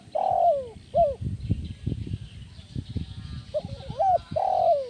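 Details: Spotted dove 'kuk 1' lure call for training other doves: a long falling coo and a short note, then a wavering phrase and another long coo, with low irregular knocking and rumbling noise between them.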